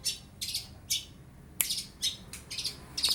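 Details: Long-tailed shrike, a young bird whose bill is not fully black, imitating lovebird and house sparrow calls: harsh, scratchy high chirps in short separate bursts, about seven within three seconds.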